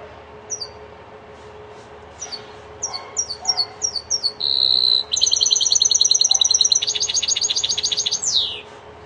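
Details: Linnet × canary hybrid singing goldfinch-style song: scattered high chirps, then a steady whistled note and a fast, rapid run of bright repeated trilled notes, ending in a falling slur. A low steady hum runs underneath.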